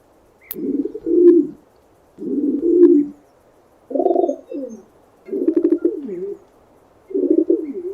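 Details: Five deep, pulsing pigeon coos recorded in 8D, alternating smooth swelling hoots and burbled phrases with a falling warble, spaced by brief pauses.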